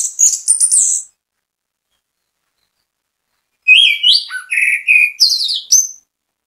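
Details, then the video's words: Orange-headed thrush in bait song to prompt others to sing. A burst of very high, buzzy notes, a pause of over two seconds, then a busy string of varied whistles, chirps and upward slides. "ANIS KEMBANG GACOR MEMBUAT ANIS KEMBANG IKUT BUNYI, PANCINGAN ANIS KEMBANG"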